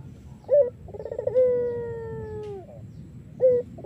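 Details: Lure song of an Iraqi-variety collared dove: a short note, a quick rolled trill, a long gently falling coo of over a second, then the next phrase starting with another short note.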